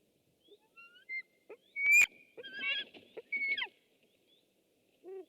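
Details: Webcam recording of a white-tailed eagle, 6 August 2015: uneven high yelps and squealing notes, one loud sharp burst near the middle followed by a rapid chattering run and a final short cry.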